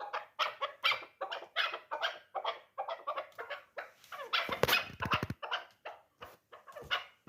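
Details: Three-year-old hunting chukar partridge of the dulan type gives a rapid run of harsh, clucking chuk notes, about two or three a second and unevenly spaced, with a short burst of sharp clicking midway.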